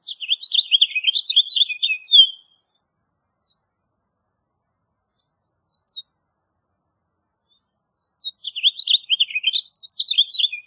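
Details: House Finch song in two bursts separated by a long quiet gap: each a fast, tumbling warble of slurred notes, with a few isolated chips between.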